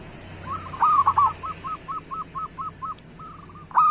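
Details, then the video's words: A local zebra dove, used to get reluctant doves singing, gives a string of about eight separate, evenly spaced short coos after a few louder notes. The series ends with a sudden strong cooing note. "Perkutut Lokal Gacor Suara Pancingan Burung Perkutut Paling Cepat Bunyi"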